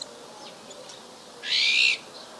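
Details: Iberian magpie calling in winter on 31 December 2011 in Ria Formosa Natural Park, southern Portugal: a single harsh, buzzy, rasping call lasting about half a second.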